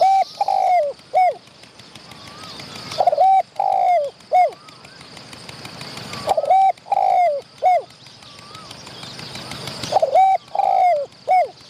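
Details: Wild spotted dove drawn in by a decoy, showing off its medium-pitched voice while chasing the decoys near the filming spot. Three to four coo phrases, each a short note, a long coo and a falling coo, repeated about every three seconds, with soft whistles.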